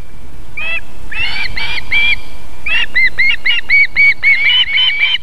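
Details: Female osprey feeding her chicks at a nest in South Estonia, Võrumaa, near a fish farm and river, on an evening in late July: series of short, high, arched whistled chirps, scattered at first, then rapid and steady.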